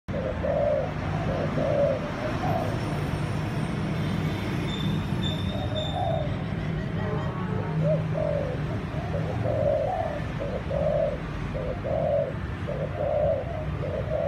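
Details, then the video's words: Malai-line dove from a breeding line, giving the thúc gù style of cooing: low, mellow two-part coos repeated about once a second in irregular bursts, over a steady low rumble of background noise. "malai dòng thúc gù bài bản"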